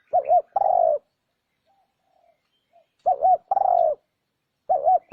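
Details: Spotted dove lure call used to draw in wild doves: paired mellow cooing phrases, a short wavering coo followed by a longer steady one, repeated after pauses of about two seconds, with no other sounds.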